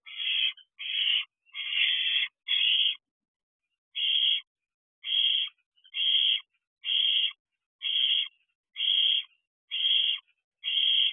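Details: At a nest box where owlets are fed, a Barn owl brings a rodent late at night in June 2023; thirteen rasping, noisy screeches, four quickly bunched, then a steady series roughly once a second, background silent.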